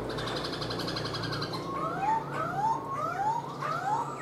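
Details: Captive black-throated laughingthrush, tamed cage bird singing while dancing with its tail fanned out, gives a run of clear rising whistles about every half second after a harsher, buzzy opening passage.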